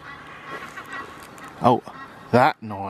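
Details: An introduced Egyptian goose along the River Wensum in Norwich, UK, at dawn on 17 April, gives three harsh, nasal honks in quick succession, each under a quarter second, over a low outdoor murmur.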